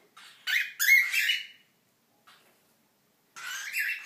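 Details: Hungry pet cockatiel chicks, 6–7 weeks old and still begging food from adults, give harsh, raspy begging squawks in short, repeated bursts while waiting for breakfast in the morning.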